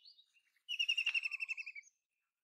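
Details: White-throated kingfisher calling: a few faint short notes, then a loud, rapid, harsh chattering trill of about fourteen evenly spaced notes lasting just over a second, holding a steady pitch before dipping slightly at the end.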